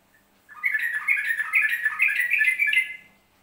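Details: Yellow-vented bulbul from Central Java singing in the ropelan style: a dense, bubbly run of warbled whistled notes lasting about two and a half seconds, fast and rolling, with a faint low hum underneath.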